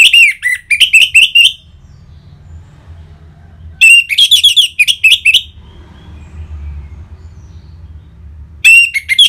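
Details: Orange-headed thrush song, used to get caged birds singing: three bursts of fast, varied whistled phrases, each about one and a half seconds long, separated by pauses of several seconds, over a low hum.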